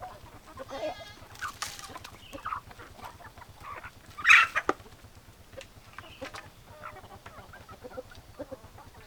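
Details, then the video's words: Chickens clucking in a farmyard: short harsh clucks and squawks scattered through the clip, one louder squawk near the middle, over a steady low mechanical hum. "Chicken Sounds Noises Hens Clucking Roosters Crowing"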